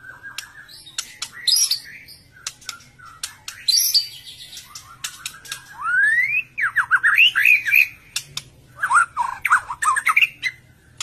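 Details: Varied song of a white-rumped shama intended to trigger other shamas to sing: crisp chips and ticks, a long rising whistle, then loud looping whistled phrases and quick descending notes.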